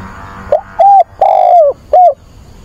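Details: ['A spotted dove decoy calls for a mate with a single loud phrase: a brief soft lead-in, a short coo, a long sliding hoot that drops in pitch, and a closing downslurred coo.']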